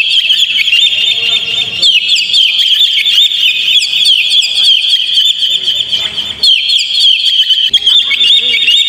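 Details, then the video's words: Lure recording of Oriental magpie-robin song for a caged bird; an unbroken run of high piercing whistles, buzzy trills and quick chips, with a brief dip in volume near eight seconds. "PANCING KACER PLAY ON"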